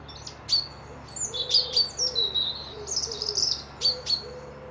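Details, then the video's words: Lively high twittering and sharp whistles from several birds at a lakeside lodge in Dundee, with a low, soft dove cooing repeated underneath. "Birds whistling"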